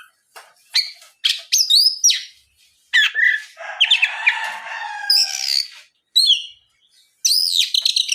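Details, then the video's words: Oriental magpie-robin lure song for stirring other magpie-robins to sing; varied high whistles, arched notes and scratchy chatter in uneven bursts with short gaps. "SUARA PIKAT BURUNG KACER GACOR NGEPLONG"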